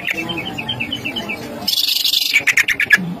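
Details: Greater green leafbird song used as a lure to provoke agitated singing in other birds: a quick descending string of short whistled notes, then a rasping buzzy stretch and loud clipped chirps, with faint music beneath.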